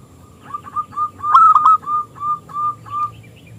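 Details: Zebra dove of local stock singing eagerly in a small, crystalline voice, a song meant to draw rival doves into singing. A steady series of short rolling coo notes swells to a louder pair mid-phrase and then fades.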